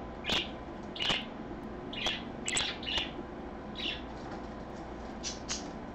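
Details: Indoor parakeet on an afternoon livestream, 24 August 2014, repeating clear high chirps roughly once a second, then softer, fainter notes toward the end, over a steady hum.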